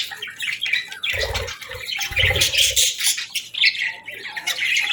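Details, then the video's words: Budgies chirping at morning time: continuous busy warbling of high chirps, squeaks and harsh notes, with two low rumbling bursts in the first half. "Birds Chirping Sounds 🌅🐦 Budgie Morning Melodies for a Happy Start!"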